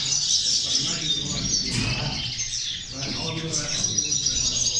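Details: Singing European goldfinches, played to motivate goldfinches: a fast, jumbled twittering of high tinkling notes, with a low murmur of voices in the background.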